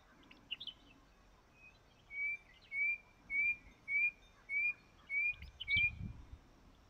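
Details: A male painted bush quail, having left cover and climbed to a vantage point to advertise to females, gives a run of about seven clear, slightly rising whistles, one every half second, with faint chirps from other birds.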